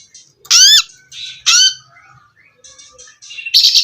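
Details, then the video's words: Oriental magpie-robin heard in a therapy recording meant to restart a bird that has stopped singing. Two loud harsh calls are followed by softer chirps, and a buzzy burst ends the sequence. "suara terapi kacer macet bunyi"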